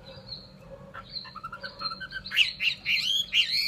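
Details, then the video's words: Caged Chinese hwamei from Vietnam: after a quiet start, soft whistles build into loud, fast, slurred notes repeated several times a second, growing stronger toward the end. "họa mi"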